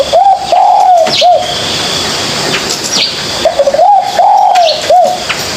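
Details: Practising juvenile spotted dove gives two similar soft, low coo phrases about three seconds apart, each short notes rising into a long hoot and a short ending coo, over continuous hiss.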